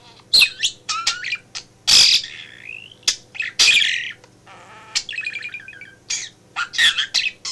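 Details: Indoor pet budgerigar, male, keeping its owner company at a home office desk; a lively run of chirps, rasping warbles, a rising whistle and clicks, about one burst every two seconds, with a faint background hum.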